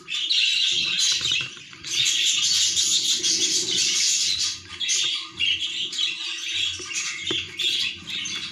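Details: Budgerigar chick on its last day of weaning gives a continuous, loud, scratchy high chatter with brief breaks and a sharp tap near the end, over low background rumble.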